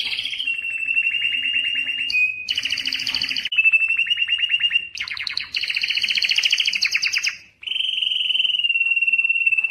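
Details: Strong canary song for courtship and breeding, built of long mid-high rolling trills broken by harsher buzzy rattles, each phrase lasting a few seconds with brief breaks.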